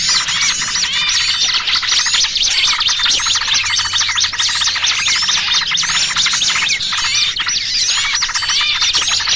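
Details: Noisy lure mix for trapping small birds, combining trucukan calls with trapped small-bird cries: a dense, unbroken chorus of high, sharp chirps and twittering notes from many birds, with a faint low hum underneath.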